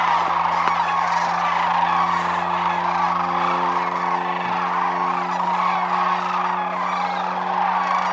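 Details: Many Sandhill cranes on their wintering grounds at Whitewater Draw Wildlife Area, Arizona, calling together in a thick continuous chorus of rattling trumpet notes, accompanied by steady low humming tones.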